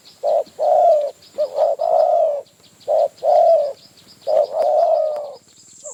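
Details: Wild spotted dove in Phrae, Thailand, drawn in quickly and aggressively by a decoy bird, giving low, mellow coos in short two- to three-part phrases repeated over and over, with a steady high insect whine throughout.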